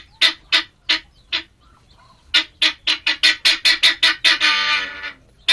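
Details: Male helmeted guineafowl utters spaced harsh notes, pauses briefly, then speeds into a rapid, accelerating run of raspy calls ending in a long drawn-out grating burst.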